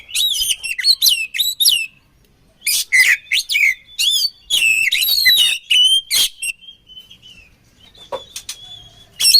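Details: Oriental magpie-robin song used to train birds: strong whistled phrases with rising and falling sweeps and sharp chips, broken by short silences, tapering to faint notes near the end.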